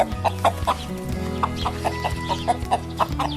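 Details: A domestic chicken clucks in short, mid-pitched bursts, several every second in an uneven run, over a steady background of music with a deep bass line.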